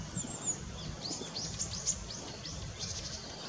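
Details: Long-tailed rosefinch, male and female, on 20 December 2016: a series of soft, high, arched whistled calls repeated in quick succession, faintly over a steady background hiss.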